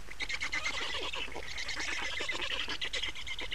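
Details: Black storks in Estonia, 28 May 2019, during nest changeover and feeding; continuous raspy, rapidly repeated calling with a noticeable low rumble underneath.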